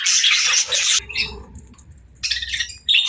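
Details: Pet parrot at the start of its day in the morning, giving harsh, raspy squawks in a loud first-second burst, a quieter gap with low rumbling, then two more grating bursts near the end.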